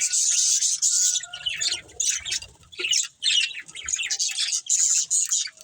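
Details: Chirping from a breeding pair of budgerigars, bright chattering warble and harsh squawky notes in uneven bursts, with faint low thuds in the middle.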